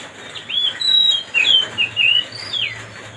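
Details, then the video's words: Oriental magpie-robin (kacer) singing to provoke another bird into agitation: a string of clear whistled notes, some rising and some falling slurs, delivered in short bursts over faint hum. "mancing suara kacer biar emosi.."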